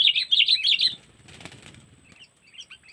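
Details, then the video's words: Sooty-headed bulbul lure for trapping, 'cengkeram' style from Lampung: about one second of loud, rapid bubbly chatter, then a rustling, flapping-like noise and a few faint notes. "Pikat Burung Kutilang Cengkeram"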